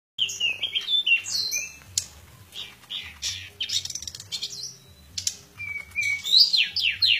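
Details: Pied bushchat singing in fight style: a dense, fast run of high, varied whistles, chirps and buzzy trills that rise and fall in pitch, with brief pauses between bursts and a faint low hum beneath.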